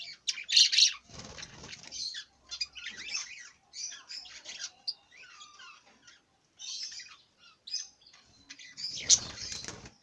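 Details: Budgerigar chattering in bursts of scratchy, buzzy high notes separated by short pauses, with a few low knocks and rustles underneath.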